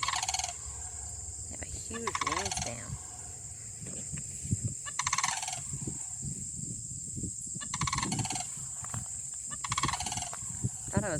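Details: Sandhill crane pair standing in a Michigan pasture and field, exchanging loud calls. Rolling rattled bugles repeat every few seconds, with low rustling and handling noise and a continuous high-pitched hiss.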